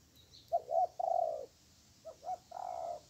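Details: Wild spotted dove with a good voice answering a weak decoy during trapping in the countryside: two phrases, each of two quick low coos followed by a drawn-out throaty coo.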